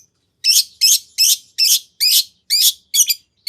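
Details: Long-tailed shrike 'nagen' filling used as a lure for an answering shrike: eight harsh, buzzy high notes, each rising then falling, spaced about 0.4 seconds apart.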